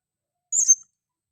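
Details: Female blue-crowned hanging parrot calling, used as a lure for other birds: a single shrill, very high, thin note lasting about a third of a second, with a faint low thump at its start, then silence.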